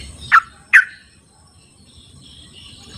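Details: Sooty-headed bulbul recorded in its natural habitat as a lure for non-singing birds: two short, loud downslurred notes about half a second apart, followed by quiet with a faint distant hiss.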